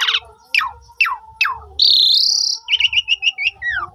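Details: Asian pied starling lure song, meant to coax quiet starlings into full singing, phone-recorded: four steep descending whistled sweeps about half a second apart, a long rising hiss-like note, then a wavering trill and a falling whistle.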